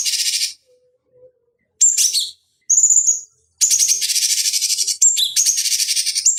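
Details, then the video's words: Cucak cungkok bulbul recorded as a master for training fighting birds: harsh buzzy bursts, a high slurred whistle, then a long scratchy rattling trill broken by sharp whistled notes. "Masteran Pancingan Cucak Cungkok Ampuh Untuk Terapi Dan Masteran Burung Petarung"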